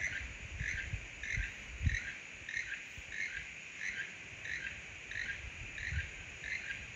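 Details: A keel-billed toucan at Chachagua Rainforest gives its far-carrying, frog-like croaking song, dry croaks about two per second in a steady series, over a constant high insect hum and low rumbling background noise.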